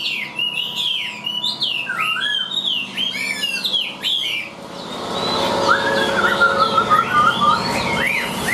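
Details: Hand-tamed Chinese hwamei in a cage, giving rich whistled phrases with up-and-down slides, after which the song turns softer and mixed with a steady background hiss.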